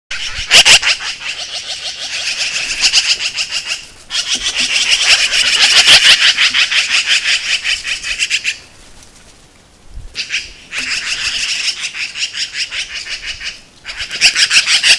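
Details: Magpies in Montana give harsh, rattling chatter in loud bursts while defending a carcass from a red fox.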